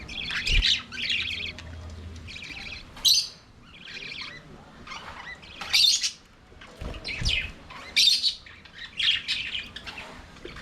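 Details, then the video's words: Budgerigars in their aviary singing and playing: repeated bursts of warbled, scratchy chatter and bright chirps about every second, with brief pauses and a few low thumps. "Budgies singing and playing in their Aviary"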